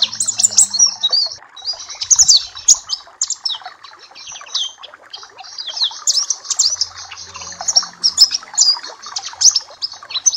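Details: Papua black-capped white-eye song played to train other birds: long, busy runs of high chirps and twittering notes, pausing briefly before resuming the rapid chatter.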